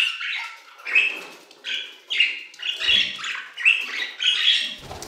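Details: Aviary budgerigars singing in rhythmic bursts of squeaky, whistled chirps and buzzy notes, roughly one phrase per second, each burst swelling and fading.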